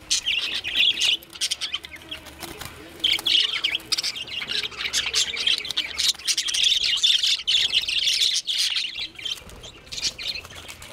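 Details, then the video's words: Parakeets fighting over a nest: several birds give harsh, chattering screeches in rapid, irregular bursts, calling over one another almost without pause. "parakeet fight battle for nest"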